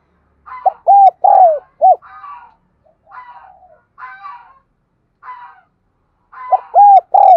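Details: Lure spotted dove giving an urging coo-and-call: loud, hollow arched coos repeated in bursts, with softer throaty murmurs in the pauses between phrases.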